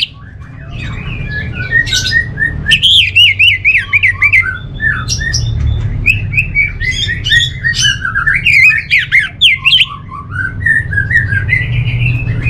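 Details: Caged orange-headed thrush from North Bali, Singaraja, singing a long continuous run of fast warbled and whistled notes, mixing squeaky high trills and rolling phrases, over a steady low background hum.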